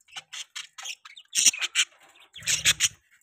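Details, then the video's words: Short, high squeaky chirps from budgies come in quick clusters, several per second, ending with a louder harsh chattering burst. "Budgies chirping sound|Budgie bird sounds"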